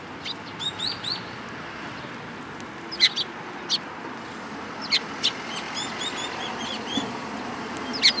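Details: Eurasian tree sparrows at a Tenmangu shrine on 14 April 2022, giving short high chirps in scattered bursts, several sharp notes repeated irregularly over eight seconds against a steady low background hum.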